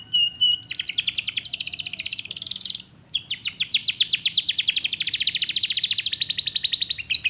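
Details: Canary performing long rolls: two short whistles, then an extended chattering trill of rapid sweeping notes that breaks briefly and resumes for several more seconds, fast and rhythmic.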